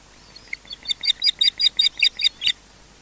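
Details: Osprey defending its nest at Loch Garten, Scotland: a quick, even series of about ten loud, shrill, high-pitched yelps, each note sharp and harmonic-rich, ending abruptly.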